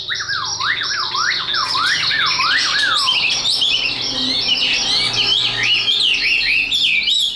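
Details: A tame Chinese hwamei sings a loud, high, rich song of repeated slurred whistles, swooping down then up several times, followed by a fast jumble of high varied notes.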